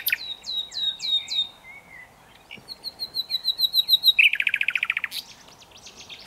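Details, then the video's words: Common nightingale song with varied phrases: repeated descending whistles, a thin high series of even notes, then a loud rapid buzzy trill of many pulses, clean quiet background. "Canlı Bülbül Sesi HD / Common Nightingale"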